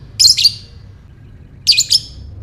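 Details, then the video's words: Lovebird ngekek call for baiting other lovebirds: two loud raspy double bursts about one and a half seconds apart, each with a brief ringing tail. "Buat Mancing Lovebird Bagus Ini | Lovebird Ngekek"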